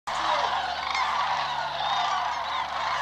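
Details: Migrating sandhill cranes flying low and close along their route south across Georgia and Tennessee, several swirling flocks at once; a dense, continuous chorus of overlapping rolling, trumpeting calls from many birds, with no pauses.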